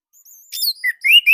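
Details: Short burst of orange-headed thrush song from Indonesia: thin high whistles build into a buzzy chirp, followed by two loud slurred whistled notes, the second rising and held.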